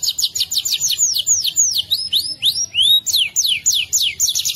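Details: Canary rolling song meant as a master for other birds: a fast trill slowing into sweeping whistles that curve down, then rise, before quickening again into rapid high notes.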